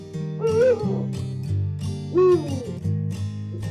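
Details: Female Eurasian eagle-owl guarding her nest of six-week-old chicks from an autumn breeding gives two short, nasal, rising-then-falling 'eng' alarm calls about two seconds apart, over soft guitar music. She also uses this call with her mate.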